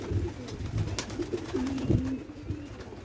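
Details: A white pigeon in a loft housing three birds gives one clear, drawn-out low coo that dips and then holds steady, preceded by soft rustles and thumps.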